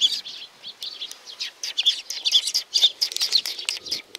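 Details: A flock of sparrows coming to be fed at Tenmangu shrine, Nakanoshima, 7 June 2020, chirping busily. Rapid overlapping high tweets run at about two per second and build into continuous chatter.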